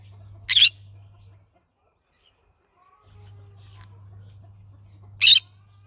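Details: Green-cheeked conure calling twice with harsh, buzzy shrieks nearly five seconds apart, a constant low hum underneath.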